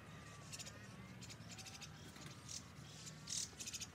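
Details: White-cheeked starlings feeding and quickly eating everything up: faint harsh, scratchy high calls in short bursts, some clustered in quick runs, over a steady low hum.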